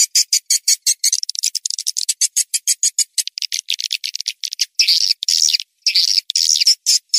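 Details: Calling sound for attracting swiftlets: quick regular run of sharp, high chips, about two per second at first, then speeding into chatter before longer, harsh buzzy notes near the end.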